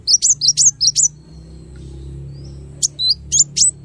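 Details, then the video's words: Small bird delivering luxurious 'tembakan' variations: six quick, evenly spaced high chirps, a pause with a thin faint whistle, then four more sharp, slurred notes. "MASTERAN BURUNG KECIL FULL TEMBAKAN VARIASI MEWAH"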